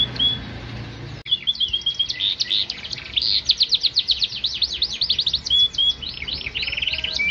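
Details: Yorkshire canary, a domestic breed, in energetic song: after a sharp click, a long unbroken stream of fast rolling, repeated downslurred notes, varying in pitch, ending in a buzzy trill.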